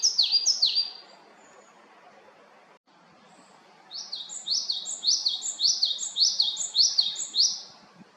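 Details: Japanese tit in Haenam, South Korea: a brief burst of high double notes, then quiet, then a longer run of about eight ringing two-part phrases that step downward, repeated briskly.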